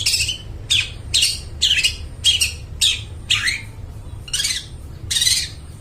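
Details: Long-tailed shrike song meant for luring and training mute shrikes: loud harsh rasping notes repeated about twice a second, each a broad scratchy burst, with low background hum.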